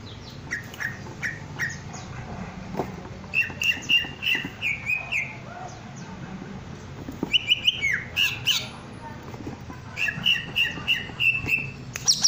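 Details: Greater green leafbird in breeding condition, puffed up, singing bursts of short whistled notes near one pitch, strung in rapid rows with buzzy harmonics and sharp high chips between phrases; low background hum throughout.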